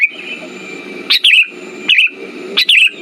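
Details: Lure recording of a sooty-headed bulbul meant to get non-singing birds going: three quick bubbly phrases, each opening with a bright rising note and falling into a short warble, roughly every 0.7 seconds, with a thin constant tone behind.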